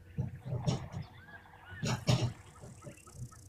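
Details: Two hornbills at a waterhole on 4 September 2023 answer each other with deep, low booming notes, about four in three seconds, possibly a display, courtship or pair-bonding; faint background noise.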